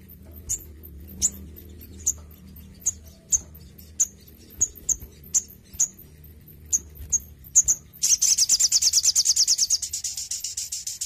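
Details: Intensively cared-for Crimson sunbird from Indonesia: a run of separate high, sharp ticks about twice a second, then it breaks into a fast, dense, very high trill for the last three seconds, with a low hum underneath.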